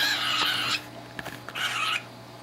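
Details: A 5-month-old male cockatiel making a weird noise while being fed pasta in his cage gives two harsh, raspy bursts, each under a second, over a low indoor hum.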